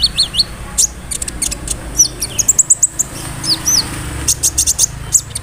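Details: Sunbird song meant to draw replies from other sunbirds: quick bursts of thin, very high ticks mixed with brief rising and falling whistles, spaced irregularly, over a faint low hum.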